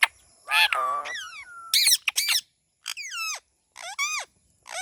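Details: Parrot giving a series of loud, harsh squawks. The notes are rich and slide steeply downward, arriving in bursts with short silences between them.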